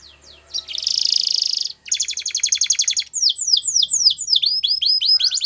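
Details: Spanish Timbrado canary training song with a faint opening, a dense buzzy rattle, a clear metallic trill, then a lively run of downward-sweeping whistled slurs.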